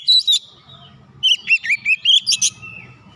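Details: Provoked magpie-robin (kacer) in a heated mood, delivering its isian phrases: two sharp whistled notes, a short pause, then a rhythmic run of about seven loud rising-and-falling whistles over a low background hum.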